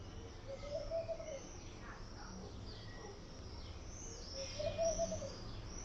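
A laughing dove gives two soft, low, bubbling coos about four seconds apart, each swelling and fading. Steady outdoor hiss and faint distant chirps sit behind.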